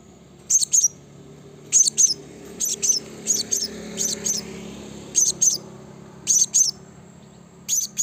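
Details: Blue-crowned hanging parrot call used as a lure to provoke and summon rival birds: very high, sharp chirps given in quick pairs or triplets, about eight bursts in eight seconds, over a faint low hum.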